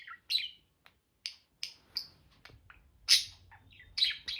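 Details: Budgerigars chirping: short bright chirps and slurred downward notes, scattered irregularly about once a second, some sharper and louder than others, in an otherwise quiet room.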